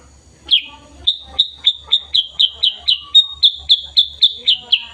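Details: Sooty-headed bulbul, black and yellow, heard in the morning on 16 September 2021, giving a rapid, steady series of some fifteen clear, high, slightly falling chirps, nearly four per second, over a quiet background.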